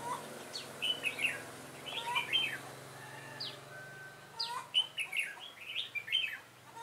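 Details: Red-whiskered bulbul used as a decoy in trapping, 7 September 2018, Vietnam: bright warbled phrases of short rising and falling notes around the middle pitch range, delivered in two bursts with a pause between.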